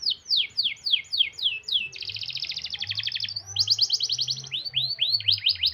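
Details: Canary singing a long, tight rolling song used to prompt reluctant canaries to sing: series of descending whistled sweeps, then a dense buzzy trill, a bright rapid roll and more rising-falling sweeps; faint low hum beneath.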